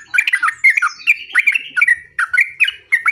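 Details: Yellow-vented bulbul in full, energetic song meant to overpower a rival: quick, dense, bubbling chatter of short slurred notes that runs on without a break.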